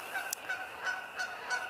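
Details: Canada geese calling in early April give quick nasal honks, about five in under two seconds at a steady pace, over a faint background hiss.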